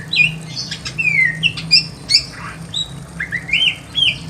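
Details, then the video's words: Caged Pekin robin in a simple aviary giving clear slurred whistles, some falling and some rising, with a few harsh squawky notes between phrases and a low hum in the background. "KICAUAN BURUNG SAMYONG GACOR SUARA ASLI ALAM LIAR DI KANDANG AVIARY SEDERHANA"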